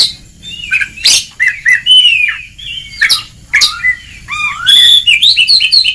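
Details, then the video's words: Oriental magpie-robin song for training a bird to sing, mixing whistled slurs and harsh notes before ending in a rapid, rhythmic run of high repeated chirps. "Kacer Ngeplong!!! Masteran sangat ampuh untuk terapi mental kacer malas gacor"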